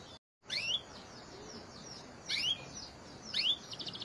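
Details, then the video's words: Canary therapy song, softer and more distant: brief clusters of sharp upswept whistled notes roughly once a second, separated by quiet gaps, ending with the start of a fast high trill. "TERAPI KENARI ISIAN GACOR PANJANG | CANARY SINGING"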